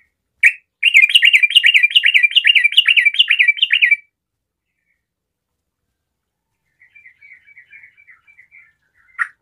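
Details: Sooty-headed bulbul, a strong singer used to get other bulbuls singing, gives a fast chattering run of rich, bubbly warbled notes for about three seconds, then a soft, faint twittering after a pause.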